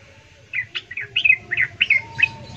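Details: A female sooty-headed bulbul calling the male: seven or eight quick, slurred chirping notes in a short run over a faint low hum.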